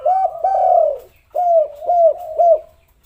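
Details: Spotted dove coos used to lure lazy doves into calling: one long drawn coo, then three clear arched notes about half a second apart.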